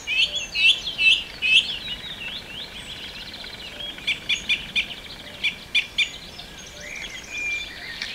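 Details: Song thrush in song at Pulborough Brooks in June 2017, opening with a clear phrase repeated four times, then a series of sharp clicks and short notes, ending in a scratchy trill.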